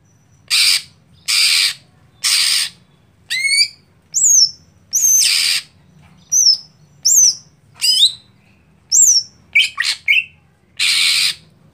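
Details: Greater green leafbird kept for song contests, set up for a bird slow to start performing: three harsh rasping bursts open, then sharp whistled slurs and high chips, with rasps returning between phrases.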